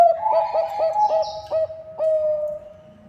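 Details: Bangkok-type zebra dove, a lively singer, used as a lure to prompt other birds to sing; a series of short, low, ringing coos repeats about every half second, ending in a longer held note.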